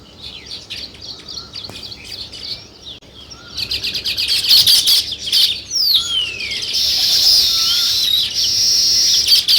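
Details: Sparrows chirping as a busy flock, dense high chips and short twittering notes overlapping, swelling to a loud continuous chatter in the second half, with a quick descending sweep near the middle.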